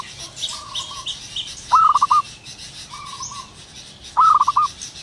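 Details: Morning in the wild with a local zebra dove: faint high chirps from small birds, then two loud bursts of rapid staccato coos, each preceded by a quieter, level coo from a second dove.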